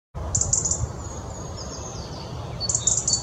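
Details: European robin singing: a burst of very high, rapid tinkling notes, then thin sliding whistles and a second high trilled phrase near the end, over steady low background rumble.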